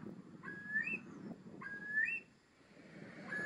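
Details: Wild Eurasian curlews in Lower Bavaria, Germany, near Deggendorf, a bird threatened with extinction in Bavaria. Repeated whistled calls, each a flat tone sweeping up at its end, about every one and a half seconds, over low rumbling noise.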